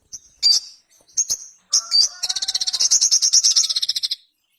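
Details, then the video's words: High, sharp chirps from a ruby-cheeked sunbird lead into a long, rapid trill of about twenty clipped notes that slowly falls in pitch. Faint lower whistles run beneath it. "SOGON GACOR KONSLET - KICAU SOGON GACOR JERNIH"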